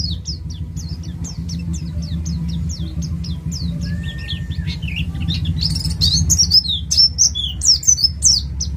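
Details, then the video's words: East Java white-eye, ngalas, sung as a prompt for other birds: evenly spaced high chip notes speed into a bright, tumbling twitter with a short lower whistle, a loud low drone throughout. "Pleci jatim ngalas cocok untuk pancingan bunyi"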